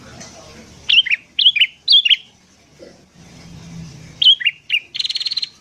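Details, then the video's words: Sooty-headed bulbul in lively morning song, used as a lure for wild birds: quick clear whistled phrases falling in pitch, repeated about every half second with a pause midway, ending in a short buzzy rattle; faint low rumble beneath. "BURUNG KUTILANG GACOR DI PAGI HARI"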